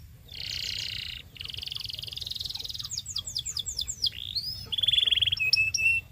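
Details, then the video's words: Belgian canary song meant to train young canaries. Two dense buzzy rolls are followed by a series of falling whistled sweeps and a bright ringing trill, finished with sharp clipped notes. "SINGING TO TEACH BELGIAN CANARY"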